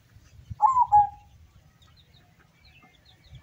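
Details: Local zebra dove singing during a contest in Semarang regency, Central Java: a single short phrase of bubbling notes fading into a steady low coo, followed by quiet background.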